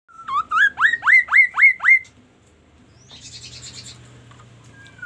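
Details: Magpie-robin song: a string of six loud, sharply rising whistled notes at an even fast pace, each with a ringing overtone, followed by a quieter buzzy, scratchy chatter and a faint low hum.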